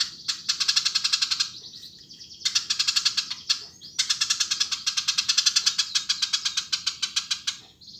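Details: Lively Eurasian tree sparrow chatter: long runs of fast, scratchy chirps about four per second, interrupted by brief pauses of quieter single notes, ending in a sustained chattering burst.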